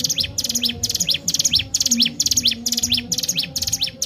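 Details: Lively 'gacor' ciblek gunung, or Sunda warbler, singing as a lure for training birds: steady repeated phrases of dense high trilled notes, each closed by a swooping slur, roughly two per second, with faint low rumble beneath.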